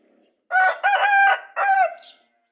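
An Aseel rooster gives a single harsh crow of four joined phrases, the last drawn out and falling, lasting under two seconds.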